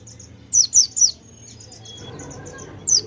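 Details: White-eye song with konin fill-ins: three loud sharp downslurred high notes, softer quick high twitters, then more sharp notes at the end over low background hum.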